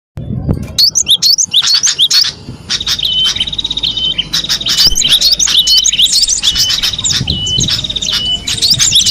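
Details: Cinereous tit singing in the wild: sharp high chirps and short upslurred notes, then runs of steady, evenly repeated whistled notes at one pitch, with overlapping calls at times.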